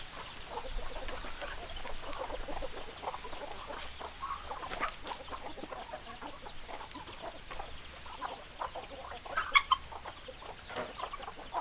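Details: A chicken flock with hens clucking in scattered short bursts, quieter and sparser than a full chorus, with a few sharper squawks near the end over a low, steady background hum.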